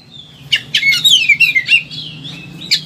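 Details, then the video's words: Excited Oriental magpie-robin, recorded as a master song for training other birds, gives a scratchy, descending string of slurred whistles and harsh notes above a low hum. "KACER EMOSI TINGGI BONGKAR SEGUDANG MATERI"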